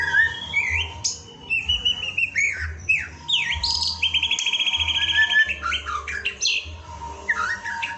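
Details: Training lure of white-rumped shama song, a varied medley of rising and falling whistled slurs, short trills and clear notes in quick succession, with a constant low hum underneath.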